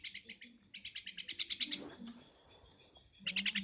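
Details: Javan myna calling in short, grating, rattled bursts that grow louder and more strident, a brief quiet gap, then another scratchy burst, with faint low voice-like sounds beneath.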